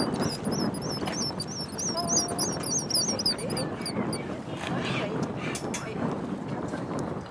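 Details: Black guillemots, locally called tysties, on the Scottish coast in June 2010 during courtship: rapid series of high, thin whistled notes, rising and falling, repeated steadily over low rumbling water or wind noise and faint voices.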